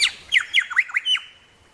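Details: Tasmanian grey shrike-thrush calling close up, a rapid run of five or six bright notes, each dipping sharply downward and springing back up, ending on a clear held whistle.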